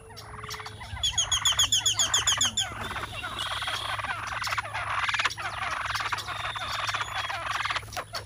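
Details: Plain chachalacas (Ortalis vetula) displaying at the National Butterfly Center in Mission, Texas, give a dense, harsh, rattling chorus of rapid raucous notes; another bird's bright, fast high chirps break in briefly over a low steady hum.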